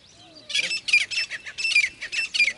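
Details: Short burst of grey francolin calling: a quick string of about seven loud, grating, high-pitched notes delivered in a tight rhythmic cluster.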